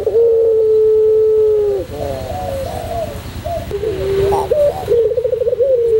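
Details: Tutor recording of a singing white Barbary dove, pelung style: a long sustained coo nearly two seconds long, followed by wavering bubbling notes and a trilled phrase ending in another held coo.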